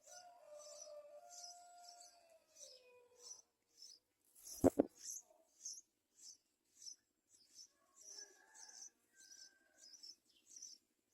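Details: Young yellow-vented bulbul begging to be fed by its mother: a long series of short, high squeaky chirps at an even pace, a sharp knock midway, and a few lower tonal sounds early on.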